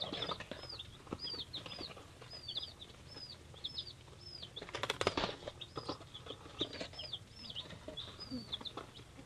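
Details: A brood of three-day-old hatchery chicks of mixed breeds peeps steadily, many high arched notes following each other rapidly, with a loud burst of scratching and flapping near the middle.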